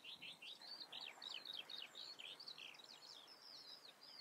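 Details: Common redstart giving a rapid series of sharp, high chirps about four per second, some rising and some falling, in an even chattering sequence over quiet background noise.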